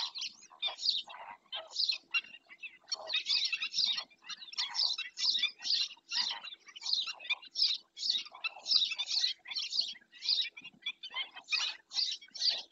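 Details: Dense, almost continuous scolding from black-winged stilts at Doñana: harsh, high notes tumbling over each other several times a second, forming an agitated chatter.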